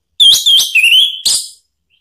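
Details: Orange-headed thrush (anis merah) phrase used as a lure to provoke another bird into answering: a clear, slightly wavering whistle held over a second and dipping in pitch, then a brief sharper note.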